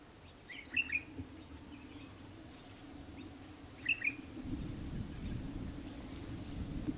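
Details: Australian Hobby in Victoria, Australia, December 2023, giving two short bursts of high, sharp double chirps about three seconds apart, over a steady low rumble of wind that grows louder.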